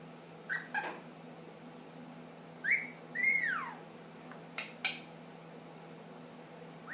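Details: A young pet ring-necked parakeet, aged 10 months, whistling: scattered short clicks, then a rising whistle and a longer arched whistle that climbs and falls, followed by more sparse chirps in a quiet room.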